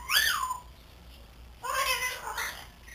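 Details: Pet grey parrot, three months old and learning to talk, makes a rich harmonic call that rises and falls, then after a pause a longer nasal, wavering call with strong overtones.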